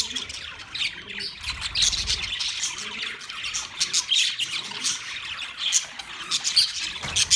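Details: Budgerigars in a large cage, recorded on 9 March 2024: dense, continuous high chirping and warbling chatter from many birds at once, with short squawks rising above the busy twittering throughout.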